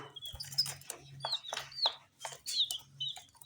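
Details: Chicks feeding on spicy snack puffs. Only a few high, falling peeps are spaced through noisy crunching and pecking sounds, with a low hum underneath.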